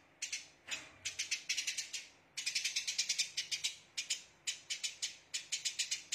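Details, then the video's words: Eurasian tree sparrow giving rapid, dry chirps in quick bursts of several notes, high-pitched and rattling, with brief pauses between runs; dense "shooting" chirp sequence used as a training recording for songbirds. "Rapatnya Tembakan Burung Gereja"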